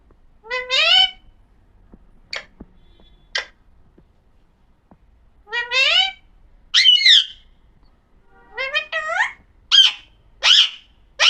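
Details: Alexandrine parakeet, known as pahadi parrot, said to talk, makes stacked, nasal rising phrases with long gaps, a few short clicks, then a closer cluster of nasal calls and sharp squawks near the end.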